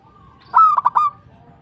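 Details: Single phrase from a local zebra dove: three quick pulsed notes, rising slightly at the start, ending in a short rolling coo.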